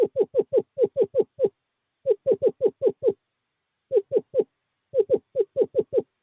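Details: Male Eastern Screech-Owl calling a female to an owl box during courting season, 11 February 2023: low, mellow hooting notes, about five or six a second, in short bursts separated by pauses.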